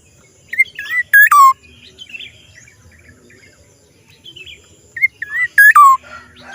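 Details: Black-naped oriole with an odd call phrase given twice about four seconds apart, each a few whistled slurs ending in two loud, nasal, descending rasps; soft chirps of other birds between.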